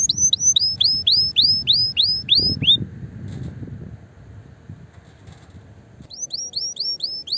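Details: Canary song for encouraging other canaries to sing: a rapid series of repeated high curved whistles about three per second, a short pause with faint noises, then the same whistled series resuming.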